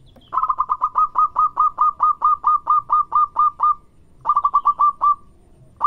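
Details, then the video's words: Local zebra dove singing loudly: a long rapid series of about sixteen clipped, evenly spaced cooing notes, a pause, then a shorter run of seven notes and another starting, all at one steady mid pitch. "Suara burung Perkutut Lokal Gacor yang bikin cepat nyaut"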